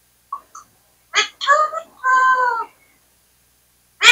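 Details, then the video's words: Talking parrot from India mimicking human words: two faint, quick chirps, then a burst of speech-like syllables ending in a long, even, nasal vowel, followed by silence and a final abrupt call. "talking parrot"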